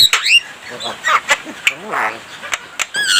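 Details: Javan myna mimicking human speech and coughing: squeaky rising whistles, nasal wavering speech-like syllables and sharp clicks in a rapid jumbled run.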